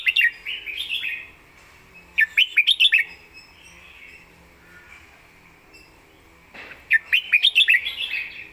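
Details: Red-whiskered bulbul delivering lively song noted for clear phrasing and a quick voice: bursts of rapid, bubbling chirped notes at the start, middle and end, separated by quieter gaps.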